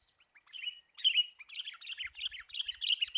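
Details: Sooty-headed bulbul, described as very fierce, recorded during bird trapping with lure birds: a run of harsh, chattering chirps that begin sparse and grow denser and louder, with faint low thumps near the end.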